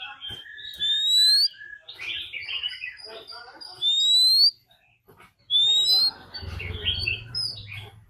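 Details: Decoy Oriental magpie-robin singing a fighting song, mixed with a wild female's call, used to provoke other birds: three loud, clear, rising whistles with softer chattering notes between them and a low hum underneath.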